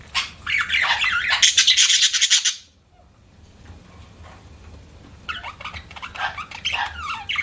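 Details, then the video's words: Budgerigars chirping: dense bursts of scratchy, warbling chatter for over two seconds, a near-silent pause, then softer rapid twittering returns; faint low hum underneath. "BUDGIES CHIRPING SOUND"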